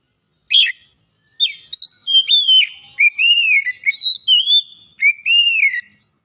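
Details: Song of a white-rumped shama, a bird being coaxed from quiet to full song: clear sliding whistles in a quick run of about ten notes, some rising, some falling, with short gaps between phrases.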